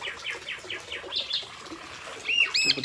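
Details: A tame Javan pied starling roaming free around a house, a female calling a male, gives a quick series of sharp, descending chirps, about five per second, then a few higher clear whistled notes; faint background chatter.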